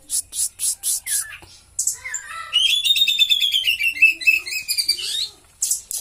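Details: Kept oriental magpie-robin, not long in care, in full song with cililin-imitation phrases: loud repeated high chips, a falling whistle, then a long rapid rattling trill of buzzy notes that slowly descends before more sharp chips.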